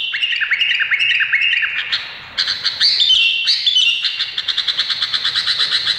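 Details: Indonesian bulbul singing a lively sequence: falling whistled glides first, then a short pause and a stream of quick, high repeated notes and warbles.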